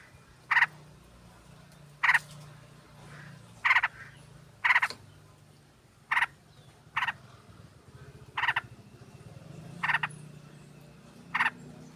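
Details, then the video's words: Sooty-headed bulbuls, a flock with a female calling the male, used as a lure. Sharp raspy bursts repeat at a steady pace, roughly every 1.5 seconds, over a low background hum. "Pancingan trucuk ombyokan dan obat mlas bunyi biar GACOR"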